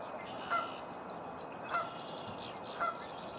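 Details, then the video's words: A Virginia rail in a local park in the morning gives three short, harsh nasal notes about a second apart, with thin high songs of other birds faintly behind. "A Morning with Virginia Rails"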